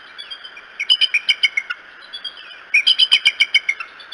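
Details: Bald eagle at the Decorah nest, morning of 13 May 2018, giving two bursts of rapid, high, piping chitter, each a quick run of about a dozen sharp notes, over a constant background hiss.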